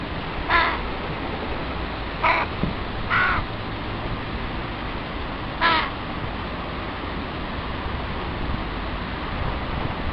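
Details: Juvenile crows beg their parents for food while the family patrols its breeding territory again. The adults seldom share anymore. Four loud, hoarse, grating calls come at irregular gaps over six seconds, then only a steady hiss.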